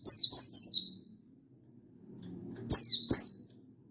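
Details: Buxtoni mountain white-eye in wild-style song aimed at a rival, recorded 16/8/22: a quick run of four high falling notes, a lull with low background rumble, then two more bright downslurs.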